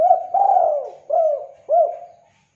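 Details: Spotted dove calling steadily, recorded for luring and tutoring other birds: a series of four soft, hollow, low coos, each swelling then fading, the last two separated by brief gaps; quiet room-like background.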